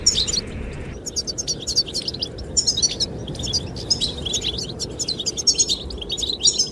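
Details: Goldfinches sing to attract the female in a lively run of sharp high chirps and metallic twittering trills, nearly unbroken, over rushing wind.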